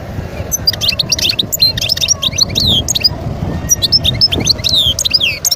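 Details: European goldfinch, a wild bird, singing near Guerbaz in Skikda, Algeria, 2022. The song is a continuous, rapid, high-pitched twitter of liquid chirps and sliding notes with barely a pause, over a faint low hum.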